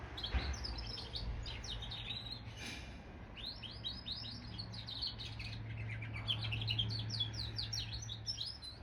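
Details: Hybrid of goldfinch and canary in lively song, quick bursts of high chattering twitters and trilled phrases broken by short pauses, a soft knock near the start and a low hum throughout.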